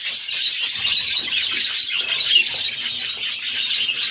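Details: Six budgerigar chicks fed by their mother in a cage produce a short burst of intense, shrill, hissing squeals that run together without gaps.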